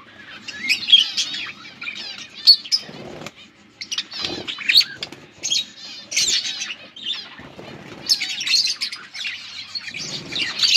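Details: Colourful pet budgies chirping: dense, scratchy high warbling chatter in bursts with short pauses, sharp clicks and whistled notes scattered through, and a few low thuds and flutters in between.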